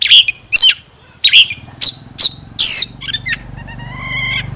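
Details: Oriental magpie-robin used as a decoy bird, singing with its tail fanned: short separated bursts of bright whistles and chirps roughly every half second, ending in a faint, steady, buzzy tone.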